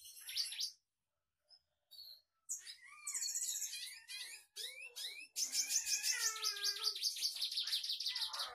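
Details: Red siskin with a song filled with other birds' voices learned from tutor recordings: scattered chirps, slurred whistles and lower upslurred notes, building after a few pauses into a long dense buzzy trilled passage.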